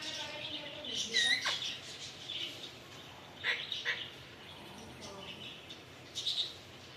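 An Alexandrine parakeet gives a few short, harsh, high chirps and squawks in scattered bursts, with a couple of clear whistled notes and faint background chatter.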